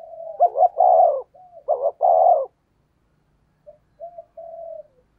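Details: Fast spotted dove decoy cooing in the 'thúc gù' style with a 'thổ đồng' voice: two loud, rough coo phrases back to back, then silence and a few quiet, drawn-out closing coos.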